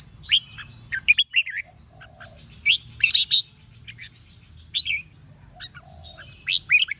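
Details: Red-whiskered bulbul giving fighting song to excite rival birds, short lively warbled phrases repeated about every one and a half seconds, each a quick cluster of slurred notes, with a softer low chirp between.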